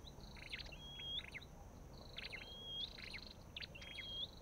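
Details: Olive-backed tailorbird, Orthotomus sepium: three phrases of stuttering chips, each ending in a smooth upward whistle, roughly every 1.6 seconds, over a quiet hiss.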